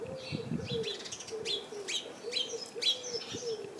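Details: A house sparrow chirps from a bush full of house sparrows, giving bright, clipped chirps about every half second, with low, steady cooing in the background.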